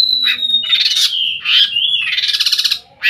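A long-tailed shrike sings a fast jumble of harsh, rasping bursts and pulsing chatters, threaded with thin, high whistles, with no other sounds.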